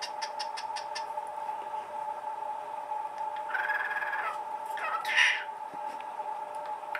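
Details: Cockatiel calling indoors: a few short, raspy chirping bursts, one louder screech near the end, over a steady electrical hum and faint clicking.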